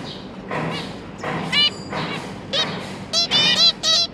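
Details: Zebra finch parents feeding their three newly hatched juvenile babies; short nasal harmonic calls come in scattered bursts, growing louder and more frequent toward the end, over a faint low hum.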